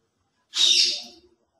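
A single harsh, hissing screech from a ringneck parakeet lasts under a second and fades quickly, with no other sounds.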